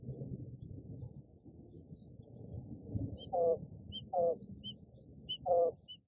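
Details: A brooding Japanese (coturnix) quail hen gives three low, wavering, slightly falling calls about a second apart in response to a hatching chick's faint high repeated peeps, over a low rumble.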